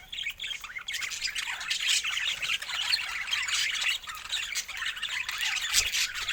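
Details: Loud, busy budgie chattering: overlapping squeaky chirps and warbles in a constant stream, with a short sharp click near the end.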